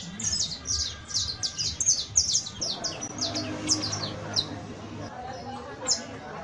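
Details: Juvenile saffron finch gives a brisk series of high, falling chirps for about three seconds, then pauses, leaving a low hum and scattered faint notes before one last high chirp.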